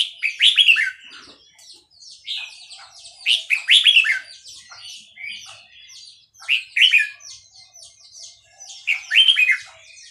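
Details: Burmese red-whiskered bulbul from Dan Singkhon delivering lively, bubbling whistled phrases in quick bursts, four phrase groups spaced a couple of seconds apart over a quiet background.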